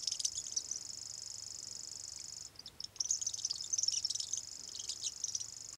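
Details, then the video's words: First-year male common grasshopper warbler singing at Voksa, Norway, with playback of an adult male in the background; a high, continuous insect-like reeling trill that breaks off briefly midway, then resumes steadily to the end. "Common grasshopper warbler, gresshoppesanger (Locustella naevia), 1cy male singing"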